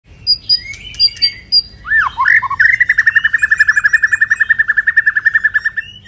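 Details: White-rumped shama singing while moulting, in the pipe-tobacco song style: a few scattered whistled notes and swooping phrases, then a fast, even, rattling trill of about thirty notes held at one pitch for over three seconds.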